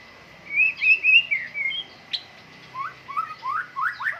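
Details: White-rumped shama out for morning dew airing. It sings rolling whistled phrases, a single sharp click, then a series of lower upslurred whistles that climb step by step.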